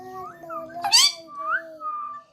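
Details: Pet parakeet said to talk in Bengali, recorded indoors at home: a sharp harsh burst amid several clear, rising and falling whistled tones, while a person repeatedly calls to the bird.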